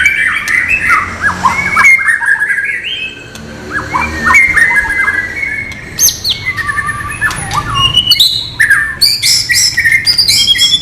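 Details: White-rumped shama, non-bubbling training-material song: flowing whistled phrases with bends and slides, then high, rapid chirping notes packed densely toward the end.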